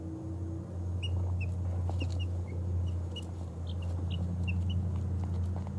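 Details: Baby chickens, two weeks old, of ISA Brown, Barred Rock, Easter Egger, Speckled Sussex and Australorp breeds, settling to sleep: soft, high single peeps scattered irregularly throughout, several per second at times, above a constant low droning hum.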